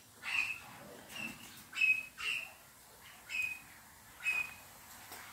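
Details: Captive pair of white-fronted amazons mating in the morning, the hen whistling: six short, clear whistled notes repeated roughly once a second, each with a soft breathy onset.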